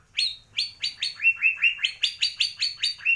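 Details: Kalimantan white-rumped shama of the Borneo Gembung type, imitating swiftlet, fighting sparrow and lovebird: about fourteen quick, sharp chirps in a steady run, stepping between a higher and a lower pitch.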